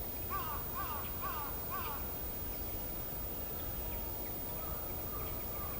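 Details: Female Northern goshawk calling the male, four short arched, nasal notes evenly spaced about half a second apart, then fainter trailing calls against low, constant background noise.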